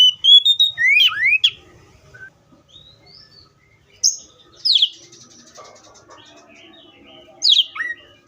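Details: Oriental magpie-robin giving the tail of a whistled phrase with sharp upsweeps, then scattered single chirps separated by quiet gaps.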